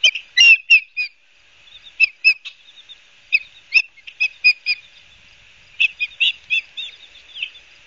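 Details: At a Barnegat Light, New Jersey osprey nest in September 2022, an osprey gives a long irregular series of high, piercing whistled chirps, some in tight clusters, others spaced apart, over a faint steady hiss.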